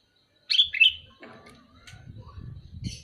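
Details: A sooty-headed bulbul calls with a quick pair of rich, gurgling notes near the start. Softer chirps follow, over a low rumbling background.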